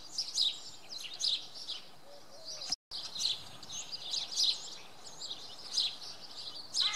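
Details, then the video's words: Common redstart singing in the early morning at Oksywie, Monday; a run of high, chirpy, slightly scratchy phrases with one brief break in the recording partway through. "Pleszka śpiewa w poniedziałek nad ranem"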